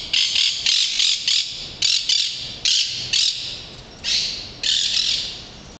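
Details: Migrating woodpeckers at a house in Mar de las Pampas in late February, feeding on garbage; a run of loud, harsh, hissing squawks in short bursts, often paired, about ten in under six seconds.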